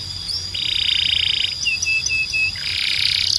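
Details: Belgian canary song used for training other canaries. A long, fast buzzy trill, then a series of short clear whistled notes, then another dense rapid trill. A high steady tone runs through.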